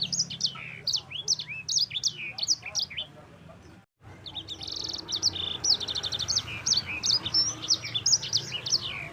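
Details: Roll song of a sanger (yellow-fronted canary): quick sharp chirps and down-slurred whistles in a busy high stream, a brief silent break, then buzzy rattling trills mixed with sweet rising notes.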